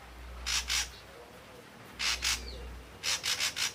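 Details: Ashy drongo of the red-eyed grey form singing: harsh, buzzy, broadband notes in short bursts, first a pair, then another pair, then a quick run of four rasping notes, with quiet pauses between and a low steady hum underneath.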